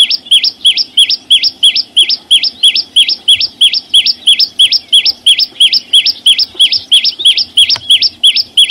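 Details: Flowerpecker singing a clear song in nature with no background noise: a long, very regular train of high, bright, hooked chirps, around three per second, steady in pitch and loudness throughout, with one faint click midway.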